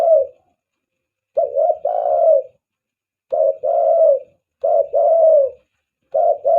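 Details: Lure call of a spotted dove, meant to draw in other doves; mellow, low coos grouped in double phrases, a short note then a longer drawn-out one, repeating about every one and a half seconds.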